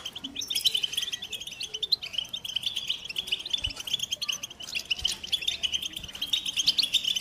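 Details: American goldfinch singing in fast, bright twitters and short trills, closely packed. There are brief pauses near the start and the middle, and a few soft low thumps underneath.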